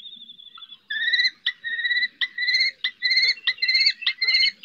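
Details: Common kestrel mother calling her fledgling from a rooftop in the Ebro Delta's Riet Vell nature reserve; a faint, steady note, then a run of loud, level, whining calls broken by short gaps, nearly two per second.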